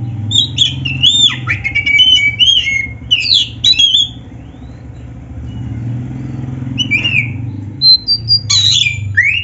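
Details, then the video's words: Black-breasted oriental magpie-robin in full, lively song used as training material for other birds: varied whistled slurs and sharp rising and falling notes in quick bursts over a steady low engine-like hum, easing off midway before resuming. "SUARA BURUNG KACER MASTERAN GACOR ‼️Full Variasi isian MEWAH"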